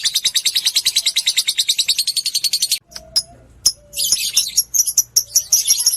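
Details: Lovebird lure sound for stirring other lovebirds: a rapid harsh 'ngekek' trill for nearly three seconds, stopping abruptly, then a brief pause and scattered sharp 'ngetik' chirps and ticks building into quick twitters.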